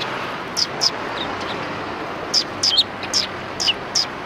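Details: Several sparrows greeting a visitor at the back entrance of a Tenmangu shrine, 25 February 2020: short high chirps in small pairs and clusters over a steady broad background hiss.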